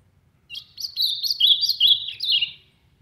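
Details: Ultramarine grosbeak from the sertão singing strongly: a two-second warbled phrase of quick slurred whistles that ends on a falling note, with faint low rumble beneath.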